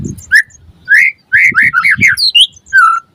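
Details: Short burst of white-rumped shama song from a lure recording meant to prompt singing: several slurred whistled notes, rising and falling, closing on a longer drawn-out whistle, with faint low thumps underneath.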